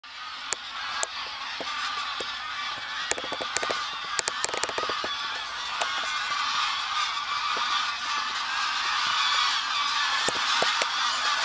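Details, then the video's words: Large wild flock of over 500 greylag geese taking off together with about as many lapwings from a field at the WWF Ex-risaia di Bentivoglio oasis, Italy, on the afternoon of 21 November 2009; dense, continuous overlapping honking with sharp clicks and knocks. "Volo di Oche selvatiche e Pavoncelle"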